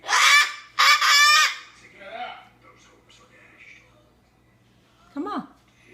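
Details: Female umbrella cockatoo (Cacatua alba), upset after being told to shut up, gives two loud, harsh, raspy screams back to back, then quieter squawks and one short rising-falling squawk while her owner coaxes her.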